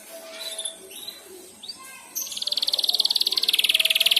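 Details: Canary youngster learning to sing after hearing another canary: faint scattered chirps at first, then a steady, very fast high trill fills the second half.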